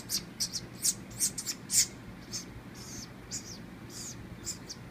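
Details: Baby woodpecker that fell from its nest in a palm tree near a pool, hand-raised and fed moist cat food and water off a paint brush; rapid, harsh, high squeaky bursts, about a dozen in five seconds, over a faint low hum.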